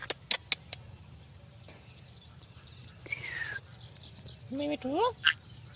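Indian parrot making four quick smacking kiss sounds, then a gliding whistle and a short, voice-like run of talking notes, over faint background hum.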